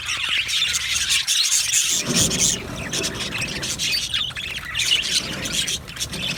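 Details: Happy budgerigars in an aviary colony chatter in a dense, continuous wash of high chirps and squawks, with a low rustling at the start that fades after about two seconds.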